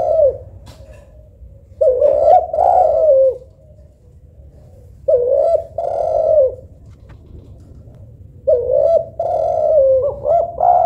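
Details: Spotted dove (local tekukur or Kelantan derkuku) cooing in three separate phrases, each opening with a short note and swelling into a long, wavering coo, with quiet gaps between phrases.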